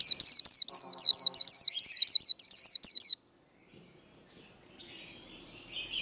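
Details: Duelling white-eye in a singing contest: about a dozen rapid, high, slurred whistles in three seconds, followed by quiet and a faint thin whistle from another bird.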